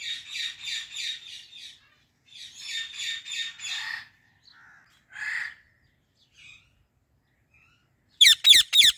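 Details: Female Indian ringneck parrot perched in a fully bloomed apple tree, giving bursts of harsh, rapid, high-pitched chattering squawks in quick series, with pauses and short scattered notes between, then a loud burst of sharp screeches at the end.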